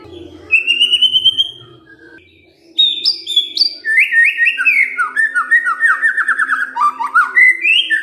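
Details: White-rumped shama kretekan fighter call, meant to get other birds answering: one long whistle, a pause, then stepped high notes and a quick run of falling chattering notes.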